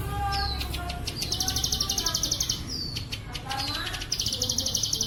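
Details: Bren cililin song of a plain prinia for pet-bird training. Falling whistles alternate with two bursts of fast buzzy trill, and a short trill run ends the recording.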